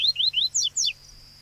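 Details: Yellow-bellied seedeater singing, a short phrase of three clear rising whistled slurs followed by two quick descending notes, over a steady low hum.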